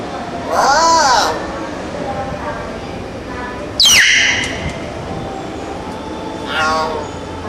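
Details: A talking myna mimicking words such as "hello" and "hi" gives three speech-like utterances a few seconds apart: first a nasal wavering phrase, then a sharp, descending whistled squawk, against a faint hiss.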